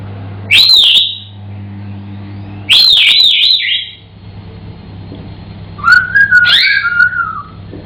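A grey parrot gives three bursts of bright whistled, word-like phrases, the last falling and warbling; a low steady hum runs underneath.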